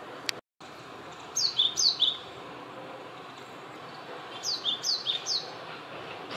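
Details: A male Japanese tit sings in a mandarin orchard: two short bursts of three clear, high, descending whistled notes each, separated by a pause of steady background hiss.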